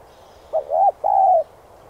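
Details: A single spotted dove phrase for decoy training: brief opening note, an arched coo and a long steady coo, clean and close.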